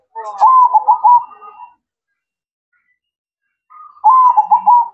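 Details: Zebra dove (perkutut) singing at night: two loud, bubbly, rolling coo phrases about three seconds apart, with silence between.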